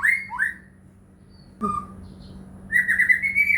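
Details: White-rumped shama (murai batu) lure song meant to provoke caged shamas into singing: a couple of slurred whistles, a long pause with one soft whistle, then a fast rising run of warbled notes.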